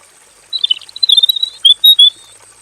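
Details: Caged male robin in a plain aviary, in long full-repertoire song. A quick chattering run of twittered notes is followed by three clear, drawn-out whistles. A constant thin electronic-sounding whine sits in the background.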